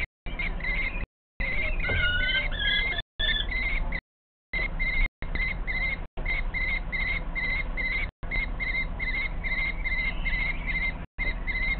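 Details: Two last common kestrel chicks, hiding on a shelf under the ceiling, beg as their mother brings prey, 23 June 2023 around 15:27: high, thin, whining calls in quick runs over a steady low rumble, with brief silent breaks.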